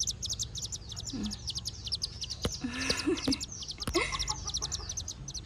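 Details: Buff-banded rail chick peeping nonstop: high, thin notes in quick clusters, with a few sharp clicks and brief low voiced sounds mid-clip behind the calling.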